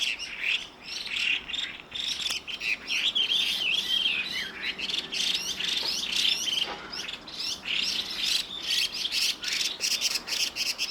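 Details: Evening calls from a pair of Chinese hwamei, grating and piping in turn; a long, dense sequence of warbled whistles and harsh chattering notes runs almost without pause.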